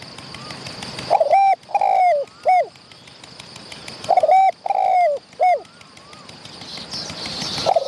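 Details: Wild spotted dove displaying near a decoy during trapping. Two evenly spaced phrases: a brief coo, a long quavering coo and a falling coo, with a few soft distant whistles and a background hiss.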